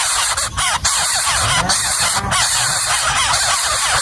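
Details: Hungry wild nestling bird in its nest, being fed a house lizard by its parent: continuous harsh, hissing squeals with brief dips, rising and falling in loudness over a steady noisy background.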